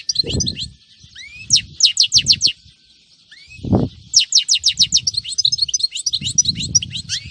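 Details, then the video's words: European goldfinch recorded on a Friday in 2018: lively song of rapid, high ringing notes and brief rising whistles in repeated bursts. Intermittent low thumps and rumbling run underneath. "تسجيل اليوم الجمعة مقنين نار نار"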